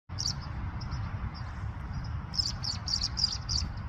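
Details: Tree swallow giving high, bright chirps, sparse at first, then a quick cluster of repeated notes in the second half, over a low rumbling background hum.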